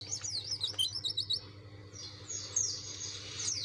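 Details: Dakun-type white-eye singing persistently to challenge rivals: rapid, high twittering of quick up-and-down notes in busy bursts, easing briefly mid-clip, over a steady low electrical hum.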